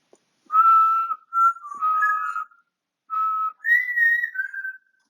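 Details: Pet African grey parrot whistling, recorded 20 August 2022: a steady tone held about half a second, then a run of level and gently wavering notes, a pause, and two more whistles, the last stepping slightly downward.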